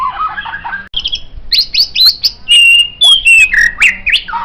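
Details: White-rumped shama song meant as a master for training songbirds: warbled low phrase, then clear whistles and a long sliding tone stepping downward, sharp clicks over them.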